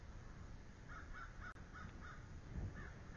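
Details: Bald eagle pair at their nest on 9 March 2013 around midday, as the male delivers a small fish and the female claims it by mantling. A run of about seven short, high, chirping notes over steady low rumbling noise.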